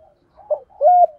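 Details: Spotted dove pair, male and female, calling to stimulate trainee birds: a faint soft note, then a muffled coo and a long steady hooting note that ends abruptly.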